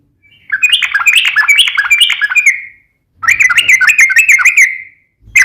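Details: Rapid-fire song of a yellow-vented bulbul (trucukan). Two dense bursts of fast slurred whistles, each over a second long, are split by a short silence, and a third burst begins at the end.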